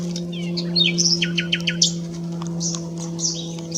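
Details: Nightingale at S'Albufera, 9/6/23, heard more faintly: a quick run of short downslurred notes, then scattered high chirps and slurred whistles, with a strong steady low hum throughout.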